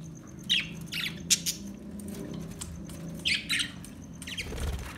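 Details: Australian budgie making a few short, scratchy chirps and squawks in two pairs, about three seconds apart, over a steady low hum and faint clattering, with a broad rustle at the end.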